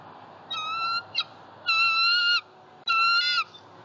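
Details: Female bald eagle at a southwest Florida nest, 26 November 2019, screaming as she claims an opossum-tail food gift brought by her mate, recorded by nest camera. Three long, flat, strident harmonic notes, each under a second, separated by short pauses.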